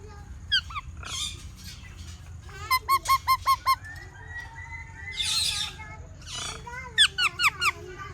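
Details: Parrot chirping with a quick run of five or six sharp, ringing notes, then a harsh burst and a second short run of rising chirps, over a steady low hum.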